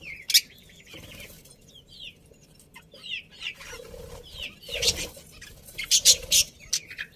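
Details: Pet budgerigars in a colony chatter cheerfully with thin rising and falling whistles mixed with bursts of harsh, scratchy chirps. The calls grow busier toward the end, over faint background rustle.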